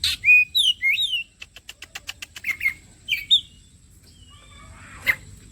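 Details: Bait song of the kacer (Oriental magpie-robin), used to get birds singing fast: looping whistled phrases, then a quick even run of ticking clicks, more whistles, and a harsh note near the end.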